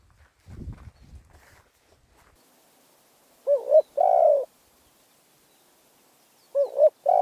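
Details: Spotted dove from Phrae, Thailand, giving two coo phrases: a short wavering double note, then a longer slurred falling coo, with a soft thumping sound at the start.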